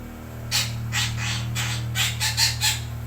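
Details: Sumatran red-breasted parakeet calling in the morning: a loose series of harsh, nasal squawks at uneven intervals, some doubled, over a steady low electrical hum.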